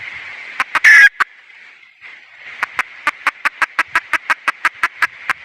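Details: Female red junglefowl: a harsh squawk among a few clucks, then after a short lull a long, steady series of about sixteen sharp clucks, roughly three each second, over light background noise.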